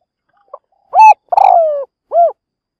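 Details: Spotted dove used as a lure in a trap cage to challenge wild doves; a single loud phrase of a tiny pip, a full coo, a long downward-gliding coo with rough onset, and a short final coo.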